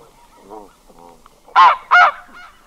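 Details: Red-breasted goose, a single bird recorded close: soft nasal mutterings lead into two loud, shrill, strained honks in quick succession, then quieter trailing notes.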